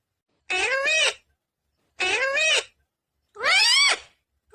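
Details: Talking Indian ringneck green parrot: three harsh, harmonic, arching syllables, each about three-quarters of a second, spaced roughly every one and a half seconds, with a quiet indoor background.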